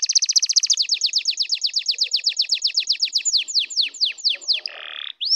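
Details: Canary song meant to excite and prepare other birds: a rapid series of downslurred notes that slows gradually, ending in a buzzy note and a rising whistle.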